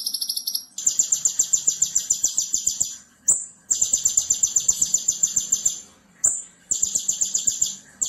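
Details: Konin singing in a training recording for other songbirds, full of bursts called tembakan: very high, rapid buzzy trills of evenly pulsed notes in long runs broken by short pauses, with faint clicks underneath.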